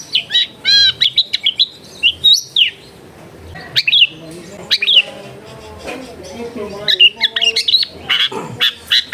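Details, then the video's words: Long-tailed shrike, recorded at home amid dense housing to prompt reluctant birds to sing: bursts of bright looping whistles, quick chirps and slurred notes come in clusters with short silences, and faint low tones sound beneath. "TERBUKTI TERAPI CENDET MALAS BUNYI LANGSUNG NYAUT"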